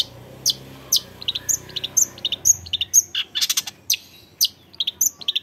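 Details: Young long-tailed shrike singing in a varied style: sharp, high chirps and harsh notes in quick irregular bursts, about two per second, with some clustered trills near the middle and end, over faint low background hum.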